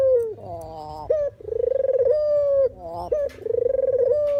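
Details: Spotted dove call meant as a trapping lure: a falling note, then long steady coos with a throbbing, tremulous quality, interrupted by short choppy stuttered sounds.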